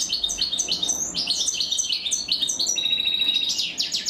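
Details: European goldfinch chicks begging as the female feeds them; rapid, steady high chirps about three per second, then a long thin whistle and sharp rising notes.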